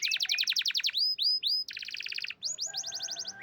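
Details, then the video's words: Champion canary in full song, rapid chains of high rising notes. A run of quick chips gives way to slower swooping slurs, then a buzzy rattle and another fast trill. "Burung Canary Juara Top"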